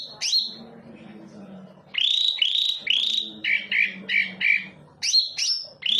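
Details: Greater green leafbird lure song meant to make birds sing: after a quiet start with a low hum, bright upward-hooked whistles come in series, including a run of lower, slightly buzzy notes before higher sweeping whistles resume.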